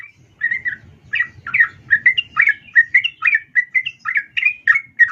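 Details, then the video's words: Female sooty-headed bulbul calling a male, used as a lure to excite males; a steady series of short chirping notes, roughly three or four per second, over a faint low rumble early on. "trucuk Betina memanggil jantan"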